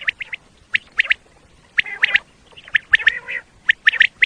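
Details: Common quail call used as a lure for quail hunting in Pakistan: short, sharp notes in quick groups of two or three, repeated about once a second, with rasping, squawk-like calls mixed in between.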